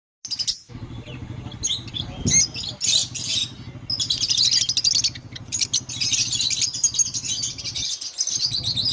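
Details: Pet Java sparrows playing, Hyderabad: dense bursts of high, sharp chirps and twittering notes run through most of the stretch, with a steady low droning hum underneath.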